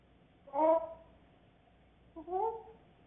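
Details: A grey parrot learning to talk gives two short, voice-like phrases about one and a half seconds apart, each mid-pitched and slightly rising, in a quiet room.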